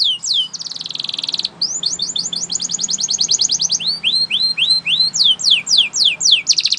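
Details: Belgian canary training song: brief swept notes, a short buzzy roll, a quick trill slowing into rising whistled slurs, then loud falling notes, all high and varied in tempo, low hum in background.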